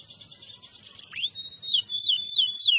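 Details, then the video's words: Canary song: a faint steady high whistle, then a sharp rising note and a loud series of four quick downslurred whistled sweeps over a held tone. "Kenari langsung Gacoorr lagi"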